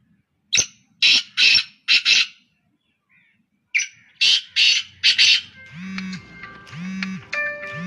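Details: Three black francolins in continuous calling: two harsh, scratchy phrases of four to five rapid grating notes separated by a pause, followed by tonal musical sounds at the end.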